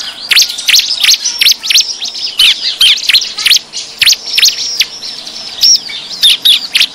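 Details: Bar-winged prinia in a 'ribut' lure recording for calling wild birds close: loud, sharp, high chips repeated roughly twice a second, mixed with quick thin twitters throughout.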